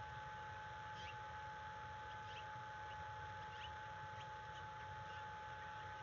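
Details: Bald eagle on a nest at the National Conservation Training Center reacting to a nearby threat on a February 2022 morning: faint, scattered high chirps spaced a second or so apart, under a loud steady hum and background rumble.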